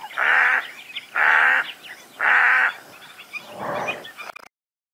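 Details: Squacco heron (Ardeola ralloides) calling: four harsh, nasal, duck-like croaks, about one per second, the last lower and rougher, a voice likened to a female mallard.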